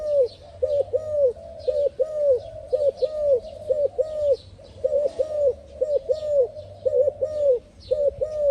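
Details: Spotted dove cooing melodiously, mellow low hooting coos repeated steadily in a rhythmic, overlapping series, with a soft hiss of background noise throughout.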